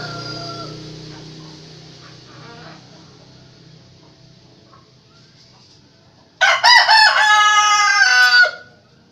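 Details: One of three roosters calling back and forth: after several seconds of fading low hum and faint distant sounds, a loud ragged crow bursts in, a sustained two-second harmonic cry with a wavering middle section, then stops sharply.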